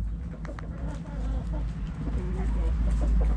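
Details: Backyard hens in a chicken coop, with soft, scattered low clucks half-buried under steady low rumbling background noise.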